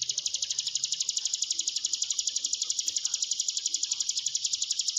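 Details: Hill prinia recording played to train silent cage birds: an unbroken, high, evenly pulsed trill filling five seconds, with faint background murmur.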